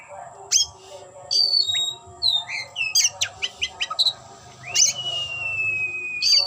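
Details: Tail-spreading oriental magpie-robin sings a fast series of sharp clicks and short whistles, then a long drawn-out level whistle held for over a second, ending in a buzzy note; faint steady whine behind.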